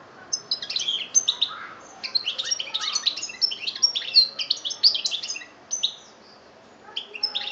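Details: European goldfinch from Algeria, 2013, singing a rapid, liquid twitter of high chirps, buzzy notes and brief trills in bursts, with a short pause near the end before the song resumes.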